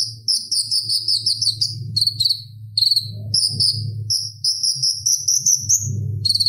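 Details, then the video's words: Purple-throated sunbird (konin) chattering song, relaxed, clear and vigorous, used as a master recording to train kolibri ninja birds. Very high, rapid twittering trills in quick bursts with short pauses, over a steady low hum. "Suara Ocehan Konin Gacor Tajam Ampuh Buat Masteran Kolibri Ninja | Purple-throated sunbird"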